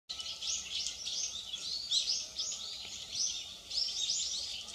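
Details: Japanese pygmy woodpecker giving a run of high, buzzy, squeaky calls, about seven short rasping bursts spaced roughly half a second apart, over a faint steady background hum.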